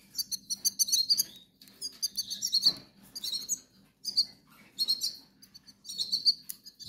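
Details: Hungry young goldfinches in the Canary Islands call insistently: clusters of high, scratchy chirps that swell and fade in about five waves, with a low background hum.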